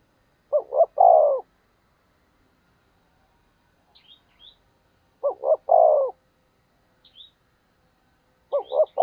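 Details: Spotted dove used as a decoy, cooing to stir wild doves to call back: a deep three-note phrase, two quick coos and a drawn-out falling coo, given three times about every four seconds, with faint high chirps in between.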